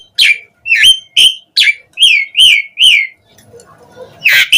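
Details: Asian pied starling song used to lure replies from other starlings: seven loud, slurred chirps in even succession, a short quiet gap, then a harsh burst.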